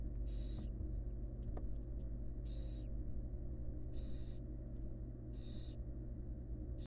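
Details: Female barn owl feeding her fledglings at a wild nest box under research monitoring. Four rasping, breathy hiss-screeches of about half a second each come at uneven intervals, with a soft click between them and a constant low electrical hum.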